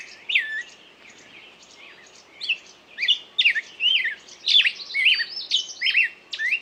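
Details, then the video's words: Birdsong that starts soft and sparse, then swells into loud, quick chirps and slurred whistles tumbling closely together. "пение птицы"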